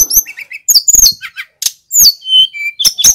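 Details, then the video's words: Singing male sikatan gunung flycatcher, a training lure for other birds, gives brief bursts of piercing high chirps, then a falling whistle and two clear level whistled notes. "Burung SIKATAN GUNUNG Jantan FULL GACOR ‼️ Suara pancingan Tledekan BAKAU Jongkangan SRDC agar EMOSI"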